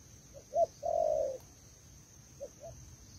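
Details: A female spotted dove calls to urge on the male with a single phrase of two brief soft notes and a long, slightly falling coo, then two faint notes start again; steady faint hiss behind.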